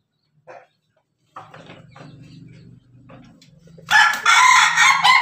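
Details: Laughing-style crow of a kept Pelung Bangkok rooster on 17 May 2024. A low steady hum plays under faint sounds before a sudden loud, bright, stuttering crow fills the last second and a half.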